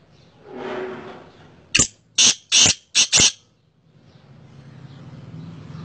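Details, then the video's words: Black francolin calling: five loud, harsh, grating bursts delivered in quick succession over about a second and a half, with soft rustling and background hum before and after. "kala teetar ki boli"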